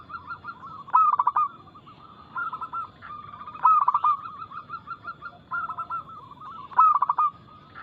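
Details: Active local zebra dove giving its fast, loud song to coax other doves into calling. Four throbbing coo phrases fall about two seconds apart, each a tight run of pulses, among gentler background cooing.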